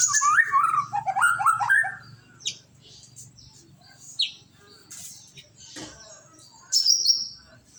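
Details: White-rumped shama (murai batu) giving quick warbled whistles that bounce up and down for about two seconds, followed by scattered sharp high chips and short squeaky notes separated by pauses; a low hum sits in the background.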